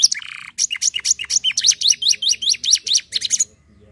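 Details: Canary song: a brief buzzy trill, then a rapid string of high, sharply falling whistled notes repeated several times a second, ending abruptly after about three and a half seconds.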